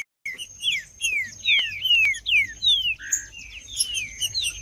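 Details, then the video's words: Fighting-mode song of a male green-winged saltator: after a short silence, a quick chain of falling whistled notes, one lower flat note, then more slurs, backed by a steady thin high whine. "Trinca-ferro Macheando"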